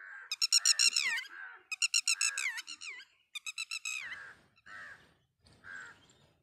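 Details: A mother red-wattled lapwing at Mt Abu calls its baby from the nest: three quick runs of piercing, stuttered notes, each ending in a falling slur, then a few lower, softer single notes.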